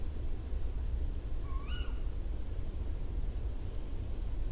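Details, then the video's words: A Tawny Owl, a bird of woodland edges, gives a single sharp, rising then falling shriek lasting under half a second, over a steady low rumble of background noise. "that's the sound of the tawny"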